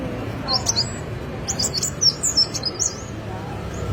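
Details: Wulung bird heard on a master recording for training songbirds: two short bursts of quick, high, sharp chirps and twittering notes, the second burst longer, over a steady low background hiss.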